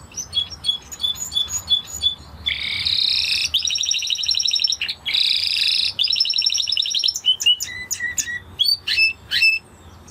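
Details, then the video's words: Spanish Timbrado canary delivering scattered high chips, then loud sustained buzzy rolling trills broken by short pauses, followed by separate sharp descending notes and brief whistles. "Canary Sound Effect - Canary Singing Video"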